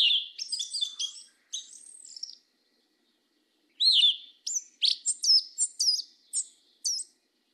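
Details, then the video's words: Southern 'mateiro' song of the yellow-legged thrush: a twittering jumble of high notes, a short whistle, a silent gap, then a rapid series of sharp, high, upswept squeaks in clean, quiet surroundings. "SABIÁ PRETA CANTO MATEIRO DO SUL"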